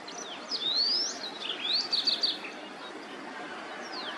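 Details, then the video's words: Clear rising whistles from a white-browed wagtail, first one long upward slide, then a quick cluster of bright high notes, with a faint upward whistle near the end. "Voice of White Browed Wagtail Bird"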